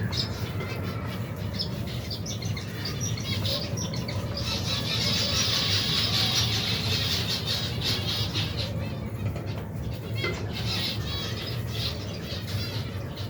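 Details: Finch colony of over 120 pairs, adults and young birds eating together; a thick chorus of high squeaky chirps swells in the middle and then thins, with constant low background hum and fluttering wings.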